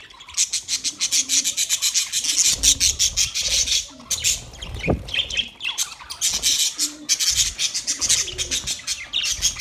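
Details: Budgerigars eating soft food as a group, recorded 3 October 2023: dense, rapid rasping squawks repeated almost without pause, with one sharp knock near the middle.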